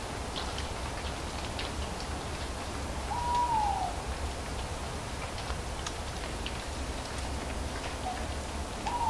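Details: Two separate owl hoots, each sliding downward in pitch, spaced about five seconds apart. Crisp ticking of falling leaves and a low ambient drone fill the gaps.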